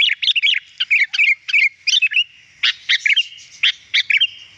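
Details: Sooty-headed bulbul singing in gacor style, a lure for catching wild bulbuls; dense, bubbling chatter of quick whistled notes in rapid clusters, with brief pauses between bursts.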